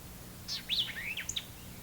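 White-eyed vireo giving a quick, emphatic song of sharp, high notes: a clipped opening note, a slurred rising and falling middle, and a crisp ending note, against faint background hiss.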